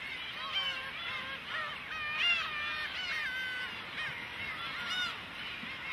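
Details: Great cormorant chicks begging and demanding food from their parents: a dense chorus of overlapping high, wavering, squealing calls with rising and falling harmonics, continuous throughout.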